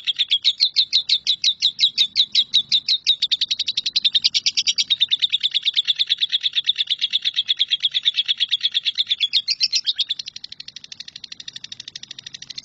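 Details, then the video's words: Lovebird in long nyambung kuntilanak style, recorded as tutor song for shrikes: a rapid shrill trill of repeated chirps, going on at length before dropping to a softer rattle near the end. "LOVEBIRD NYAMBUNG KUNTILANAK"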